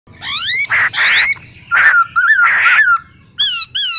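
A laughingthrush gives loud bursts of squeaky, rising whistles mixed with harsher, rattling notes, about every second or two.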